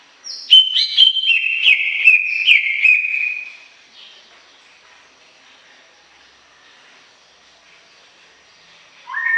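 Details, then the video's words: Greater green leafbird singing a brisk burst of sharp whistled notes with bright chirps for about three seconds, then near silence, ending with a brief lower whistle. "Suara Kicau CUCAK IJO Gacor Panjang Khusus Untuk Cucak IJO Yang mogok NGOCEH"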